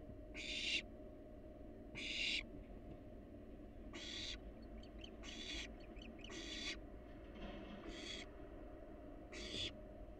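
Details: Wild barn owls at a monitored nest box give spaced rasping hisses, some interrupted by brief clicking chitters, over a steady low background hum.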